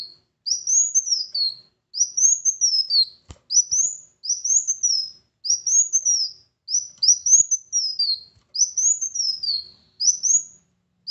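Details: Van Hasselt's sunbird song for prompting a lazy bird into singing: around ten short, high, sweeping whistles, each arching up and down, repeated roughly every second, with an occasional soft click.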